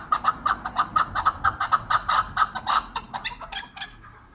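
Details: A chukar in Kyrgyzstan gives a fast run of harsh, clucking chuck notes, about four a second for three seconds, then trailing off quieter.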